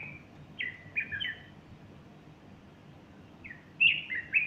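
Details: Morning song of a bulbul on 30 August 2015, with a female close by puffing up her plumage; bubbly whistled phrases of three or four quick notes, a pause, then a louder run of warbled notes.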